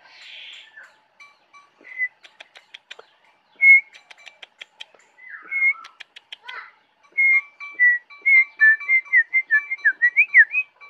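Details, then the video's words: Jongkangan in the Kintamani forest, Bali, singing lively: scattered clear whistles mixed with dry clicking ticks, then a quickening series of sweet whistled notes with rising and falling slurs toward the end. "Jongkangan Gacor Dari Hutan Kintamani, Bali"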